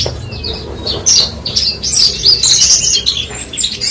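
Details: Very high, thin twittering and buzzy trilled phrases from a branjangan bush lark, running almost continuously, with only faint low-pitched noise underneath.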